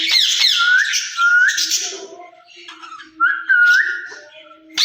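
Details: A pair of ringneck parrots kept in a cage: drawn-out whistled notes that level off and flick upward, mixed with rough squawky bursts and quieter murmuring tones.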